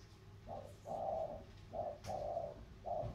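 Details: Spotted doves of the thổ cooing style in a contest, a Mekong delta lowland bird from Sóc Trăng against a mountain bird from Cam Ranh, Vietnam: mellow low coos, a short note then a longer one, repeated in pairs.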